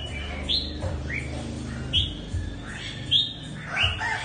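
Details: A mutant red-whiskered bulbul sings bright, slurred whistled notes, some rising and some falling, about one every second, over a low background rumble.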